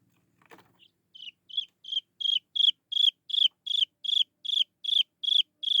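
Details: Chinese francolin chick calling for its mother. A brief rustle comes first, then soft high peeps grow louder into a regular series of downslurred notes, roughly two or three each second.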